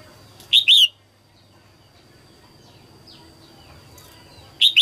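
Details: Early-season female red-whiskered bulbul singing to stimulate males in 2022; two loud double-noted whistled phrases at start and end, faint distant chirps between.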